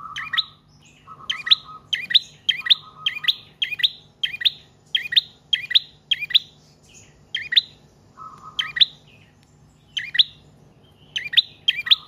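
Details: Trotol or paot prinia singing on and on, used to lure and train other cage birds: a long run of crisp doubled chirps, steady for several seconds, pausing briefly, with bursts of flat buzzing.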